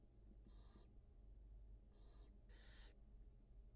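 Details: Wild barn owl mother with two newly hatched nestlings on a nest camera; three short, noisy hisses, the last two close together, over a constant low hum.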